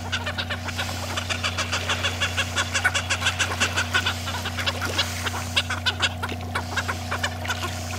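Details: Cape petrels at sea taking krill from the surface and quarrelling over food, giving dense bursts of rasping, clucking chatter, many birds calling at once, with a constant low mechanical drone beneath.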